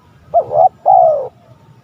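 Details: Spotted dove cooing on a lure recording for rival males: a brief two-part coo then a sustained gently descending coo, mellow and low.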